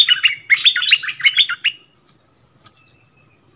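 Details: A bulbul quarrels in song with a wild bird (27 March 2021). Rapid burst of about seven sharp, bubbly notes over one and a half seconds, then near silence with a faint distant note.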